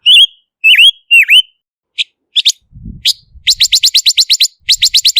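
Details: Silver-eared mesia, noise-free lure recording: several swooping whistled notes and brief chips, then two rapid trills of sharp high notes, with soft low bumps in between.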